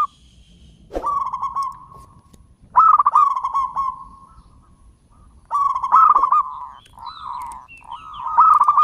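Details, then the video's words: A local zebra dove, used as a lure for wild zebra doves, gives three long, rolling coos at a steady mid pitch, each opening with a quick stuttered trill, over a faint low hum. "PERKUTUT LOKAL SUARA PANJANG GACOR, PANCINGAN PERKUTUT LIAR"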